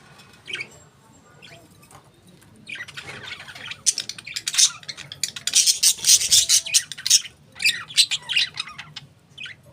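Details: Pet budgerigars chirping; a quiet start gives way to dense bursts of scratchy, high chatter and squawks clustered through the middle and end, over a low steady hum.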